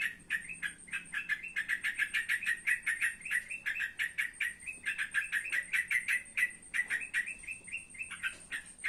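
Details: Trotokan calling in the evening: rapid chattering bursts of short, clipped notes, several each second, steady throughout, over a faint continuous high whine in the background.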